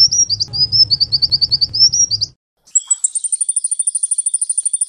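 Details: Sunbird used as a training recording for cage birds: rapid high twittering phrases of sharp upslurred notes, a brief pause, then a fast even trill of thin high notes repeated about twice per second, with a low hum underneath.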